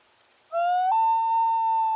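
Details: A Common Loon's wail, the call loons give back and forth to locate each other, often in the late evening: a pure, sustained, mournful tone that starts lower, steps up, then holds steady and unbroken.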